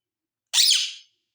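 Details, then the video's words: A pet rose-ringed (ringneck) parakeet gives a single harsh, raspy burst about half a second long, high-pitched and noisy; nothing else is heard. "Ringneck Parrot Berbicara"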